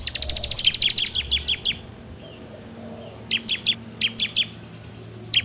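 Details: Bar-winged prinia, a lure for training birds, recorded on an Android phone: rapid bursts of sharp, high chirps, about five to ten per burst, with pauses between runs; a faint low hum underneath.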